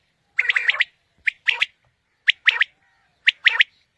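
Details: Quail calling used as a morning hunting lure: a quick run of several notes, then three clear phrases, each a short note followed by a fast doubled note, about one second apart.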